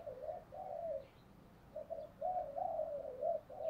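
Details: Spotted dove, thổ voice, cooing in fighting style to prompt lazy wild-caught doves to coo; a continuous chain of soft, hollow coos over a hissing, noisy background, recorded at a distance.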